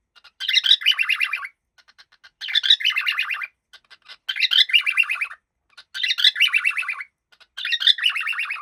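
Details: A happy cockatiel repeats short scratchy chattering phrases about every one and a half seconds, five bursts of fast wavering notes with quiet gaps.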